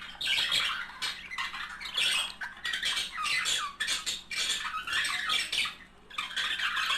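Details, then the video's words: Pair of budgerigars in steady chattering song, meant to stimulate mating: continuous buzzy squawks, chirps and bent whistled notes in a busy, irregular stream, with one brief lull near the end. "طائر البادجي على التغريد والغناء صوت يحفز البادجي على التزاوج"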